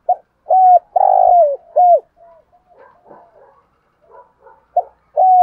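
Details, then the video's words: Decoy spotted dove calling to lure wild doves, in the driving 'thúc gù' style: short mellow coos, mostly level with a downturned end, one longer drawn-out note, then a quiet broken stretch and renewed cooing. "chim cu gáy mồi chai thúc gù bài bản giọng hay"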